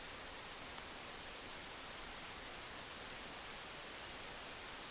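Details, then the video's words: Two brief, thin, high-pitched calls of a Brazilian tanager, recorded in Paranaguá, Paraná, Brazil, about three seconds apart, over a steady loud hiss. "Tiê Sangue"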